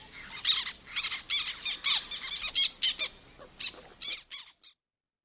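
Black Tern giving a rapid run of harsh, squeaky squawks, like a squeezed dog toy, several overlapping in quick bursts before stopping.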